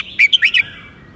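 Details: Red-whiskered bulbul, a teacher bird with a southern master-style song: one brisk phrase of four clear whistled notes, the second and fourth rising and slurred, ending in quiet background hiss.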